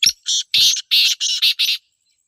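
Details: Black francolin, known locally as kala teetar, from Pakistan: a rapid burst of seven harsh rasping buzzy notes, evenly spaced over under two seconds, then silence.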